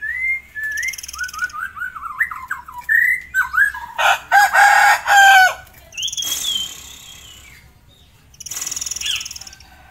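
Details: Tame forktail singing in the ngitir style, used as a master song: clear whistled notes, some sliding down in short series, broken by loud harsh buzzy bursts and a high rattling trill near the end.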